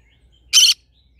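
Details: Green-cheeked conure in a rice field, giving a single loud, harsh, raspy squawk lasting about a fifth of a second, standing out against near silence.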